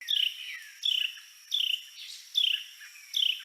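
Carolina Wren male giving five high, buzzy descending trills, one roughly every seven tenths of a second, over a faint background hiss.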